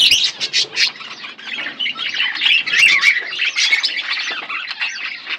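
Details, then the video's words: Two pet budgies produce nonstop chirping, a rapid stream of buzzy, warbled high notes with several louder sharp chirps and a faint flutter at the start. "Budgies chirping sounds"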